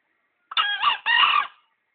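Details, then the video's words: Tame green junglefowl, caught by luring in Gunungkidul and kept three months, gives a loud, harsh two-part crow: a short rasping note, a brief break, then a longer hoarse syllable, all within about one second, with a quiet background. "Kokok ayam hutan hijau gacor"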